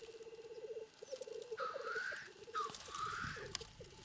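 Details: Rival black grouse cocks fighting at a lek in their natural Trans-Ural habitat: a low, rapid, bubbling cooing rolls on, broken by two loud rushing hissed sneezes, with a few sharp clicks.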